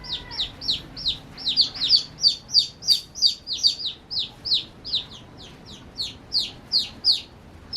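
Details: Baby chicks at play, chirping in a rapid run of high, downward-slurred peeps, about three per second, with several chicks overlapping at uneven intervals and no other clear sounds.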